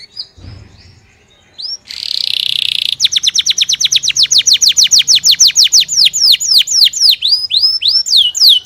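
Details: After a faint low noise and a brief buzzy burst, a canary launches into a rapid rhythmic trill of high sweeping notes that slows into spaced downward whistles.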